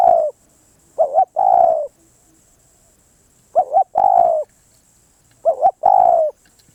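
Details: Repeated coos of a spotted dove, with three full phrases about two seconds apart. Each has a short undulating lead-in and a prolonged, mellow, slightly descending note.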